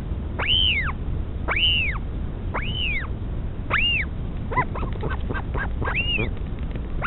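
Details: Mother northern royal albatross feeding her chick at a nest at Pukekura/Taiaroa Head, Dunedin, New Zealand: a run of arched whistles, rising and dropping, about one per second, broken midway by a flurry of quick short notes.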